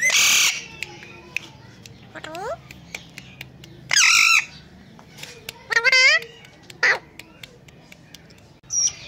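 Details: Ringneck parrot that talks, mimicking words like Mitthu Bete and Kon Aya: several separate bursts, harsh noisy screeches alternating with sweeping harmonic syllables, spaced across about nine seconds.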